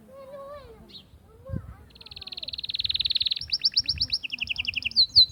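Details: Singing Atlantic canary whose song is used to excite hens for breeding: a few soft, low whistled notes, then a rapid, steady trill that grows louder, shifting into a two-part rolling trill and a bright, piercing final note.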